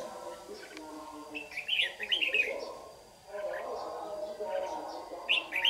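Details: Red-whiskered bulbul lure bird with white cheeks singing competitively at dawn during trapping in Đồng Nai, Vietnam, 26 June 2019; short bright warbled phrases near 1.8 and 5.3 seconds over a steady low layered hum.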